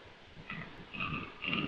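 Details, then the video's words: A rackelhane (black grouse × capercaillie hybrid) gives three short, hoarse, nasal calls, each a little longer than the last, over a rough, throaty undertone. "Rackelwild call"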